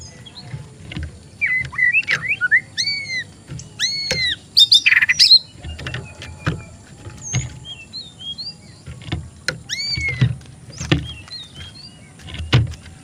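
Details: Oriental magpie-robin, a young untrained bird at a bird stall, gives scattered sweet whistled upslurs and downslurs, a burst of harsh squeaky notes, then spaced chirps amid low traffic-like rumble.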